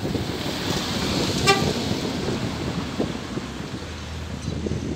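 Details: Road traffic rumbles steadily outdoors, with a short car horn toot at about one and a half seconds; no animal voice is heard.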